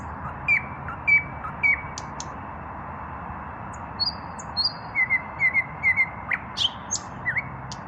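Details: Unpaired male common nightingale singing in the evening: sharp whistled notes and short repeated phrases with pauses, high clear tones over steady low background hum.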